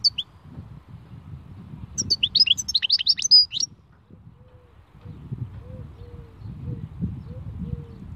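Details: Khalwi-style song of a European goldfinch: a rapid phrase of about a second and a half of high, slurred, tinkling twitters, followed by quieter low drawn-out whistles over background rumble.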